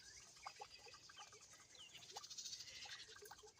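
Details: House wren nestlings in a garden beg with a high, hissy, buzzing chorus that swells and fades; scattered short, lower chips and twitters from the adult, which is being fed to babies throughout the day and giving alarm chatter, sound over it.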